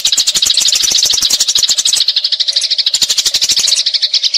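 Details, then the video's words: Rolling fight chatter of Eurasian tree sparrows, used to train magpie-robins: a rapid stream of harsh, scratchy chirps with steady clicking, briefly thinning mid-way before resuming. "Gereja Tarung Ngeroll Abis"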